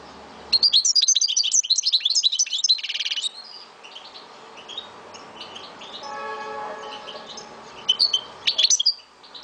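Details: Algerian goldfinch from Souk Ahras, Algeria, kept caged, opens with a quick tinkling twitter and buzzy trill, then scattered soft notes, a brief tonal hum like distant music, and a final sharp twittering burst.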